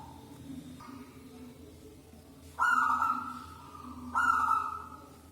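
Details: Local wild zebra dove with a big, loud voice, used to lure other doves; two drawn-out, slightly buzzy mid-pitched notes about a second and a half apart, each starting abruptly and fading, over a soft low hum.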